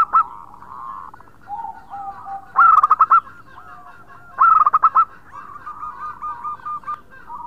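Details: Loud local zebra dove in full song, a lure recording for other birds: two sharp bursts of fast, clipped coo notes near the middle, framed by quieter wavering coos in the background.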